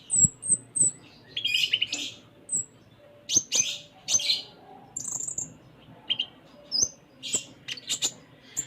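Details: Sunda minivet, a kept bird in full, varied song: three thin very high whistles at the start, then buzzy twitters and scattered high chirps, with sharp clicking sounds throughout.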